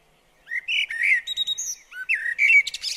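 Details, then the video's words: Garden blackbird song recorded near a bird table: rich low whistled notes with slight upward slurs, a brief pause, then more fluty notes and a scratchy, high-pitched twitter at the end. "Garden Birds Singing The Blackbird"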